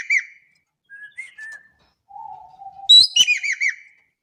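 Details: Javan kingfisher, an Indonesian bird, calling vigorously: a loud harsh burst followed by four quick down-curving nasal notes, preceded by softer separate whistles and a low drawn-out whistled note.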